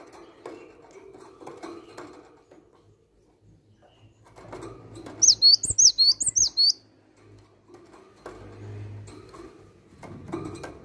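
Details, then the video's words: Cinereous tit giving one short run of about seven quick, high, sharp two-note whistles amid an otherwise quiet stretch with soft low rumbling and faint clicks. "Gelatik Batu Asli Gacor"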